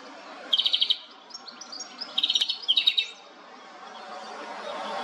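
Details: Brief song fragments from a European goldfinch (Carduelis carduelis), recorded on a Nikon Coolpix P1000: two rapid bursts of repeated high ticking notes with a short twitter, then quiet background hiss.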